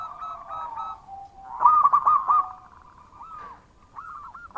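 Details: Zebra dove of a local type singing loudly: a soft, level coo gives way to a quick cluster of sharp, bouncing notes, then two separate slurred coos rising and falling near the end.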